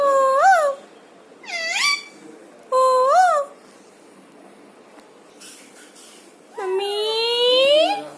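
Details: Parrot talking indoors: drawn-out, harmonic-rich calls with rising and falling pitch in four separate bursts, the last a long upward-sliding call of more than a second.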